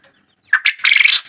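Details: A single call from a white quail, close up, opens with two brisk notes and ends in a scratchy, buzzing trill of about a third of a second. Nearly silent before and after.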